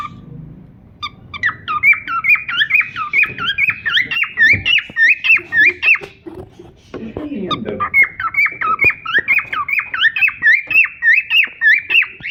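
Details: Cockatiels kept as a pet pair deliver long rhythmic runs of chirps, roughly three and a half per second, broken by a brief noisy gap before the run resumes.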